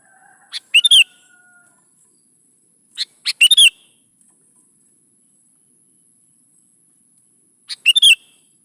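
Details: Sooty-headed bulbul singing gacor-style as a lure for young birds: three short, bright, warbled phrases spaced about three seconds apart, each led by a thin pick note, over a quiet background.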